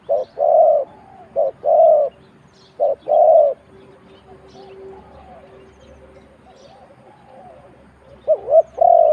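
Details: Loud, low spotted dove coos from Thailand: several short-then-long coo pairs, a quieter stretch with faint murmuring background sounds, then the pattern resumes near the end.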